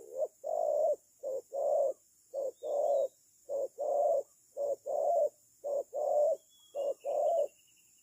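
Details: Spotted dove kept as a decoy bird for trapping, giving low hollow coos in a steady series: a short note followed by a longer drawn-out coo, about six such pairs in eight seconds, over a faint high insect hum.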